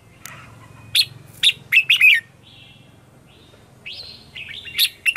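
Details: Red-whiskered bulbul in 'ché' morning song, a lure for wild birds. A few loud warbled chirps, then a quiet gap before longer, rising drawn whistles and a final sharp note, over a low background hum.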